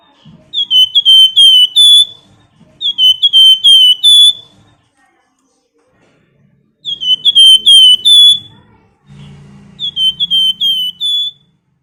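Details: Female flamboyan calling to a male with bright whistled phrases. Each phrase holds five or six quick, even notes, and the phrases repeat every two to three seconds. A faint low hum sounds near the end.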